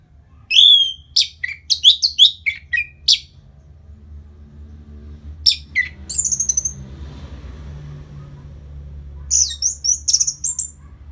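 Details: Orange-headed thrush, a bird kept after moulting, its song played to make it more aggressive: bursts of bright, high whistled and chirped phrases with rising and falling notes, separated by pauses, over a low background hum.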